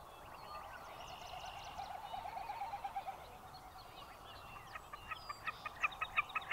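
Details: Wilson's snipe calling: after a few seconds of faint chirps from other birds, a quickening run of short, sharp, evenly spaced notes builds in loudness toward the end, over steady background hiss.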